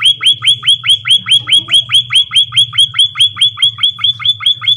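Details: Emprit kaji delivering an even, rapid chain of about twenty bright, falling whistled notes, very regular in rhythm, with a soft low hum underneath.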